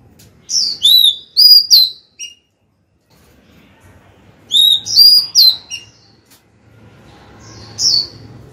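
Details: Female Oriental magpie-robin singing to attract the male: two matching phrases of clear, slurred whistles and sharp high notes about four seconds apart. A single softer whistle follows over a low hum.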